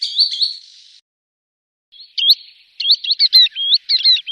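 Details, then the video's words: Green sandpiper calls meant to attract birds for hunting: a short whistled phrase, a second of silence, then a quickening patter of sharp rising whistles with echo. "Green Sandpiper Bird call"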